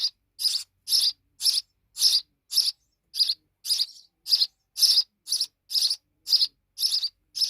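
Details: Fledgling sparrows calling with a steady train of high, sharp chirps, about two per second, fairly even in loudness throughout.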